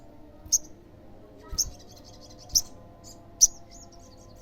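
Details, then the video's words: Olive-backed sunbird, used to provoke other sunbirds into replying: five sharp very high chips about a second apart, with faint thin trilling between them. "SEMUA SOGON PASTI NYAUT PASTI GACOR DENGAR SUARA SOGON GACOR INI"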